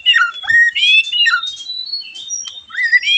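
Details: White-rumped shama song played to coax other shamas into singing: continuous slurred whistles sweeping up and down, with a few sustained high notes and light clicking.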